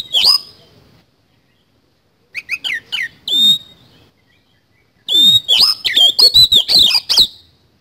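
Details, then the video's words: Oriental magpie-robin in 'isian kasan' song: a brief whistle, silence, three short chirpy notes, then a dense burst of rapid rasping notes and piercing slurred whistles repeated about three times a second. "BURUNG KACER GACOR ISIAN KASAN"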